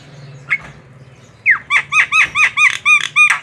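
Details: Javan myna singing, used to provoke other mynas into singing: a brief squeak, then a fast series of about eight harsh, downward-sweeping notes repeated several times a second.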